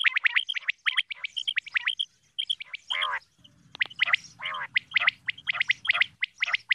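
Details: Female common quail calling: bright, clipped chirps alternate with a few deeper rolling rasps, and a low droning hum runs through the middle section.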